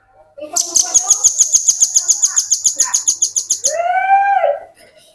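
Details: Velvet-fronted nuthatch song used as a lure for training other birds: a loud, very high trill of quick, even pulses for about three seconds, then a lower, drawn-out slurred call with clear harmonics.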